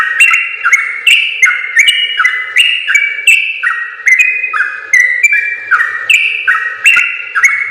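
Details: Yellow-vented bulbul delivering a long rapid-fire song, recorded to train other bulbuls: an unbroken chain of whistled paired notes stepping up and down rhythmically.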